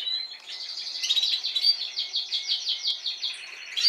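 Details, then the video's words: Timbrado canaries, Spanish song breed, with an adult from last season and this season's young learning their song: a rapid pulsed trill of evenly repeated notes, slightly rising and falling in loudness, with higher notes at the close. "Canarios Timbrados cantando"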